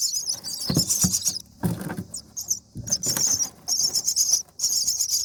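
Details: Young common myna nestlings, day 7, fed by their mother: shrill scratchy begging bursts alternating with dull knocks and shuffling as the adult moves in the nest.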